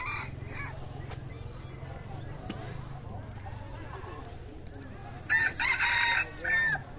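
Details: At a jungle-fowl market in Tủa Chùa, Điện Biên, northwest Vietnam, roosters take turns crowing, a loud run of harsh, drawn-out crows near the end, over a steady low engine-like hum and faint market murmur.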